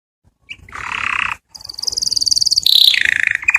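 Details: Canary singing to attract a mate: a low buzzy trill, a short break, then a rapid high pulsed trill that steps lower into a quick chattering roll.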